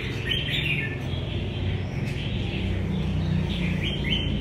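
Red-whiskered bulbul giving short, bubbly, warbled phrases that rise and fall, repeated every second or so, over a steady low rumble.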